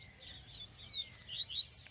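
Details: A kept Yellow-bellied Seedeater at an event in Arapiraca, Alagoas, sings a quick run of high, bright slurred whistles in the rare viviti melody, notes rising and falling in a lively phrase over faint background hiss.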